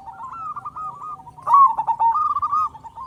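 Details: Local zebra dove singing strongly, used as a lure to make other doves call quickly: soft, drawn-out wavering coos, then a sudden louder burst of rippling, trilled notes that fades to quiet cooing.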